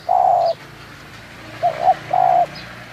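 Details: Calls of a local spotted dove recorded in Munjung Agung, Kramat, Tegal. Heard as a long mellow coo, a pause, a quick two-part coo, then another sustained coo. Soft rural background noise throughout.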